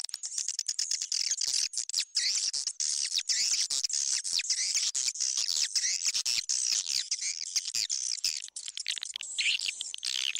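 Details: Swiftlet lure call for attracting swiftlets into a bird house: a dense, continuous chatter of high, rapid chirps and trills with no pause, like a crowded colony calling together.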